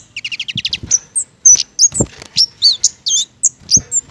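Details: Mistletoe-fruit-loving flowerpecker from a garden: a fast stuttering trill opens, followed by a jumble of sharp high chips and twittering notes with no pauses.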